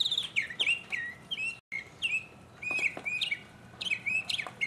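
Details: Mockingbird in 2015 singing alone: clear slurred whistles that slide down, grouped in quick doubles and triples, with a brief gap near the middle.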